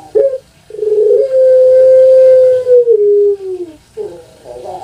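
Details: A kept Barbary dove (puter pelung), prized for its long call, gives a brief opening note and then one long, mellow coo of about two seconds that slides lower at the end before another short coo begins.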